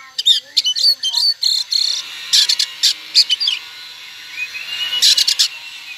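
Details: Oriental magpie-robin singing to draw replies from other magpie-robins: rapid clusters of sharp chips and whistled notes, a soft rising whistle near the end, over a steady background hiss.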